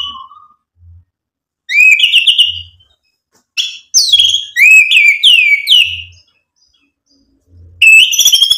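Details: White-rumped shama song meant to provoke other birds: bright rising whistles and rapid high slurred notes in bursts, with a soft low thump repeating in the background.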